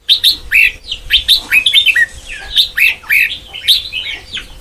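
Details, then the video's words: White-cheeked red-whiskered bulbul practising the Sông Kon song style: crisp, bubbly whistled phrases with sharp upward sweeps, delivered in quick bursts separated by short breaks. "Ép Giọng Cho Chào Mào Má Trắng Thành Sông Kon Chuẩn 100%"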